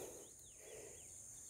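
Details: Chestnut-bellied seed finch singing in pegada style in a competition: several high, slurred whistles rising and falling in quick succession, thin and clear, over a steady high hiss and low background rumble.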